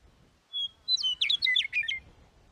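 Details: Western Meadowlark singing in response to other meadowlarks: a clear whistled opening note, then a rapid, complex run of bubbling, warbled phrases sweeping down, about one and a half seconds long, over quiet background.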